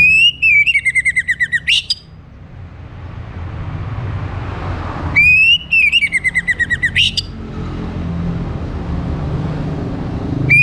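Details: Orange-headed thrush morning song, used to stimulate other birds to sing: two bursts of loud, clear whistled notes, each series stepping downward before a sharp upward flick, separated by a pause with low rumbling background noise.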